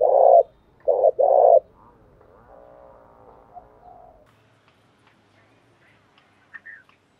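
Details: Spotted dove from Đồng Nai giving a 'thúc gù' coo used to provoke and train decoy birds: one loud three-part phrase of two short hoots and a longer held coo, then faint murmuring and scattered soft sounds.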